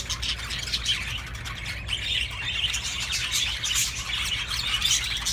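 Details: Budgerigars, mating calls used to stimulate breeding: dense, continuous high chattering warble with rapid chirps and squawky notes, several birds overlapping.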